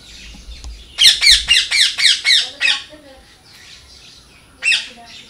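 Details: Parrot calling loudly: a fast burst of about eight harsh, raspy squawks in quick succession, then a pause and one more grating squawk near the end, in a quiet indoor-sounding space.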